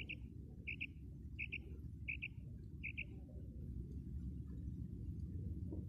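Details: Female common quail, a bird whose call is offered as a lure for quail net hunting, giving crisp paired notes repeated about every 0.7 seconds, five times, then falling silent over a low steady rumble.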